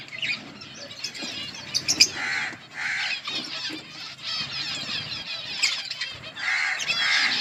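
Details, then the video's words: Budgies in a colony trade raspy, warbling chirps in uneven bursts, separated by fluttering wings and brief lulls. "Budgies parrot chirping sounds in budgies colony"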